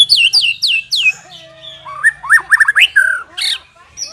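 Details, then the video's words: White-rumped shama master song for training captive birds to sing; rapid falling whistled notes, then a jumble of slurred chirps and rising whistles, with a low hum beneath. "Suara masteran burung murai batu Ampu !!!"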